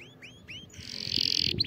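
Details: Canary song meant for teaching young birds to sing: three rising whistled notes, then a loud, dense buzzy trill that swells toward the end, closing with quick high sweeps.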